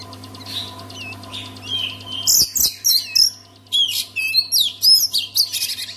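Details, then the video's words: Oriental magpie-robin song used to prompt other magpie-robins to sing: soft early notes, then a rapid series of bright, high whistled and buzzy phrases, roughly two bursts a second, over a steady low electrical hum. "KACER ANDA MACET BISU? SEKALI DENGAR KICAUAN KACER INI PASTI LANGSUNG GACOR"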